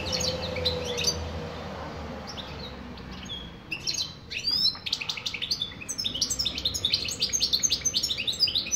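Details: European goldfinch song: after a few seconds of quiet, scattered notes, the bird breaks into a fast, tinkling twitter of high, liquid trills and chips that keeps running to the end.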